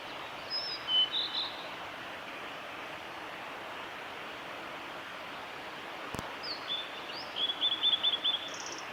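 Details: Male blue-and-white flycatcher at Lake Miyagase, Japan, 25 April 2016: a faint high twittering phrase early on, a single sharp click midway, then a later run of five quick high slurred notes and a soft trill, amid steady background hiss.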